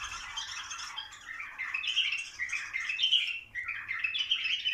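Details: Bulbul song for encouraging mating. Overlapping whistled and chirped notes form an unbroken, fluctuating chorus, loudest near three seconds, with a short dip just after.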